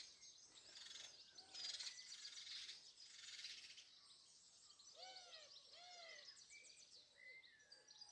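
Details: House sparrows nesting on surrounding buildings, calling loudly in a heated morning argument on Dawn Chorus Day 2020: dense, overlapping high chirps, with a run of lower arched notes near the end.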